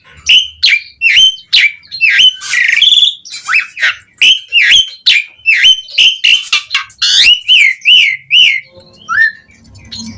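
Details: Asian pied starling song intended to make other starlings respond, built of steadily repeated rising-falling whistled notes about twice a second with occasional harsh buzzy interjections.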